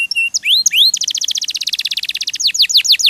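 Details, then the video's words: Canary, a kept songbird, sings a training song: a few upward-slurred whistles, a very rapid buzzy trill of repeated notes, and then several descending whistled sweeps. "MASTERAN KENARI RAJIN BUNYI"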